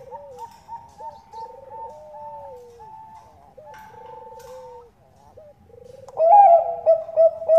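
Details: Bangkok zebra dove used as a lure, a female calling a male. Several drawn-out trilled coos run over repeated higher notes, followed by a louder, busier stretch of cooing near the end.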